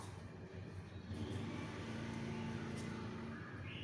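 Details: Steady low rumble of vehicle traffic with a passing engine hum; no animal voice stands out.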